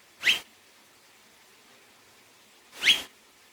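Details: Double-barred finch, also called owl-faced finch, giving two brief nasal upward-swept calls about two and a half seconds apart, quiet background between them.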